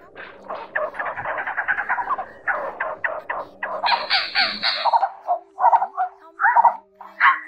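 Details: Blue-bearded bee-eaters, male and female, calling together to gather the flock, a call played to lure birds to traps: fast rattling chatter, then broader harsh squawks, ending in spaced croaking notes.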